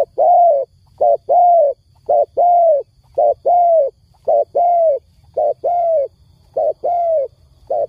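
A dove coos steadily: a short note and then a longer, arched hoot, repeated roughly every second. The coos are low and soft, with only a faint hum behind them.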